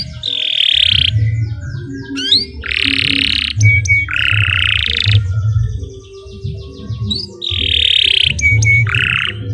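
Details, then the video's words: Canary song for tutoring other birds, here made of broad harsh buzzy bursts alternating with short whistles and rising slurs, over a steady low rumble of background noise. "Kicau Burung Kenari 102 II GACOR PANJANG Cocok untuk Masteran"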